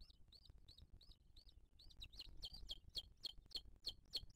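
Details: Booted eagle at its nest in 2023, where the female feeds the chick: a run of high, slurred whistled notes that repeat about four times a second and grow louder and sharper toward the end, over a low rumble.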